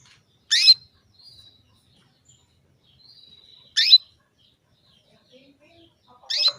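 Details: A female canary calls a male, a sound meant to make him eager to breed: three strong sweeping chirps about three seconds apart, with thin drawn-out whistles in the pauses.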